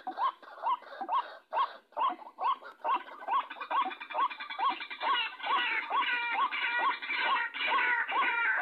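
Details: White-breasted waterhen giving loud, croaking, upslurred notes repeated about twice a second, building into a dense, harsh chorus; a lure call used for trapping the species.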